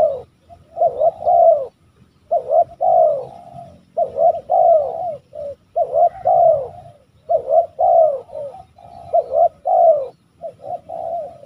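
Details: Spotted dove from West Java giving repeated hoarse, rolling coos, two- and three-note phrases with a slightly falling ending, in an irregular series with short pauses; faint low background rumble.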